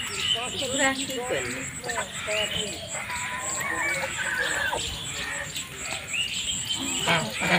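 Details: Domestic geese on a farm in a rice field, giving nasal, harmonic honks and short calls in a loose series among other birds' high chirps and voices in the background.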